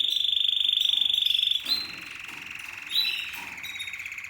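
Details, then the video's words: Seven-month-old male Spanish Timbrado canary, discontinuo style: a fast pulsed metallic trill held for about a second and a half, then softer lower rolling notes and a brief rising flourish. "Spanish Timbrado Canary Twitter Timbrado_Canary,timbrado discontinuo تغريد كناري التمبرادو"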